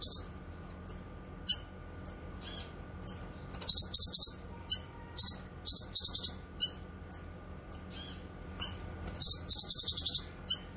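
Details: Grey-cheeked bulbul (cucak kinoy) audio meant for tutoring pet songbirds and luring wild birds: spaced thin high whistles about every half second build into fast clusters of piercing chirps, then taper off and build again.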